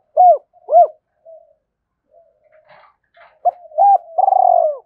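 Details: Decoy-stirring call of a spotted dove in 'thổ sấm' style: two strong arched coos, soft murmurs, then a quick coo pair and a long rolling note dropping in pitch.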